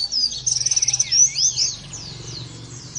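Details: Short snatch of Oriental white-eye 'nembak' song, used as training therapy: a quick high trill, then two looping whistled notes and thin, fading slurs.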